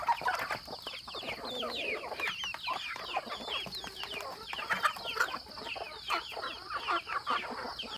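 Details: Home-raised rural chickens on a farm, a crowded flock producing rapid overlapping clucks and squeaky rising chirps, some louder notes near the start and middle, over a constant high-pitched hum.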